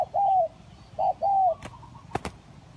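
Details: Spotted dove lure recording: two short low coo phrases, each a brief note then a drawn-out falling coo, followed by quiet and a few sharp clicks or taps.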